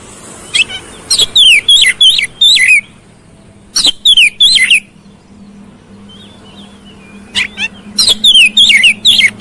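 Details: Oriental magpie-robin (kacer) song used to provoke a fast, persistent fighting response: bursts of loud whistled, slurred notes sweeping between high and mid pitch, three phrases separated by short pauses, with a faint low hum behind.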